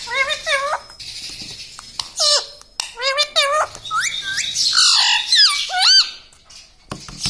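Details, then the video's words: Indoor pet parrot that talks, repeating phrases such as "radhe radhe" and "mummy papa"; a run of bent, rising and falling speech-like syllables, some short squawks, then a brief quiet stretch near the end. "bolta parrot"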